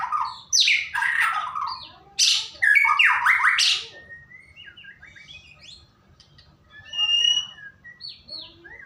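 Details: Lure recording of white-rumped shama song to prompt singing: loud bursts of harsh, fast-sweeping notes in the first four seconds, then quieter scattered chips and a few clear whistled notes later.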